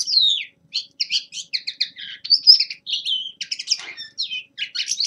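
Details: Common linnet, young male, practising song in winter: quick separate chirps in short bursts, mixed with slurred whistles and buzzy twitters, in an uneven rhythm.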